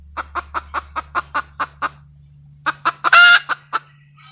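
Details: Red junglefowl hen cackling: a fast run of short, clipped clucks about five per second, a pause, then more clucks broken by one loud, harsh, drawn-out squawk, with a faint steady high hum behind.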